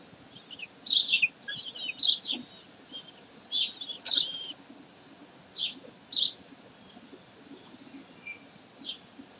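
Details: Common kestrels at Sägeweg, 22 May 2023: a few sharp, high chattering calls early on, then sparser single shrill notes fading to quiet background.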